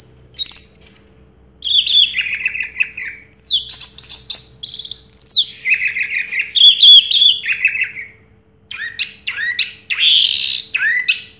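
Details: Orange-headed thrush, champion of a 2022 singing contest, pours out a long varied medley of whistles, downslurs, harsh buzzy phrases and chips, broken by brief pauses.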